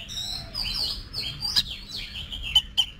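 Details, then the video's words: Short stretch of Oriental magpie-robin song, being trained for singing contests: smooth sliding whistles that rise and fall, then a few sharp clicks near the end, with a low background hum. "Luyện Giọng Cho Chòe Than Hót Đấu"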